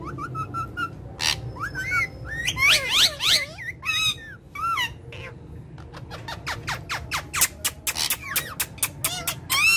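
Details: A family of talking parrots, playing and speaking in Urdu and Hindi, makes looping wavering whistles and chattering syllables, then a rapid series of sharp clicking bursts toward the end.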